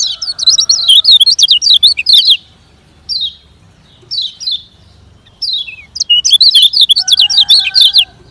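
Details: Fast 'ngejoss' training song of a lemon-bellied white-eye meant to make slow birds sing faster. A long run of quick, high, wavering chirps, then scattered single notes, then another rapid chattering burst. A faint steady tone sits lower.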